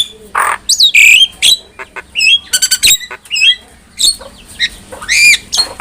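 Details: Tutor recording of a Javan myna for teaching other mynas: a strong whistled slur, rasping squawks and a rapid pulsed buzzy burst, with scattered chirps in between.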